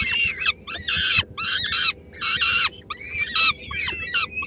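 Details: Peregrine falcon nest in Helmond on 13 May 2016: the female arrives with a small bite for her three-week-old young and some grab it away; loud, harsh, rasping screeches come in bursts of about half a second, separated by short pauses.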